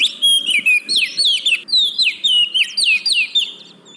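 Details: Oriental magpie-robin singing, meant to coax caged birds that are slow to sing: steady run of clear whistled notes sliding downward, repeated about every half second with high twittering above.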